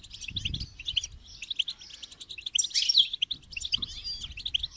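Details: Goldfinch singing a continuous tinkling twitter of quick, high chirps, with a louder jumbled flourish in the middle and faint low rumble beneath.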